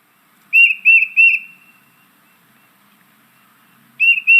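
Tufted Titmouse song: three quick, clear whistled 'peter' notes, a pause of over two seconds, then two more. No other sounds intrude.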